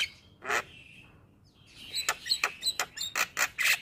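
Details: Male Javan myna song used to encourage other mynas to sing: a single harsh note and a pause, then a quickening string of scratchy notes and high whistles.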